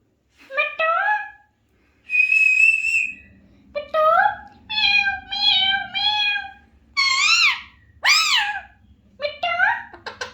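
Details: Alexandrine parakeet talking: a mix of nasal word-like syllables, a flat high whistle, and several meow-like wails that rise and fall sharply, with a faint low hum in the background.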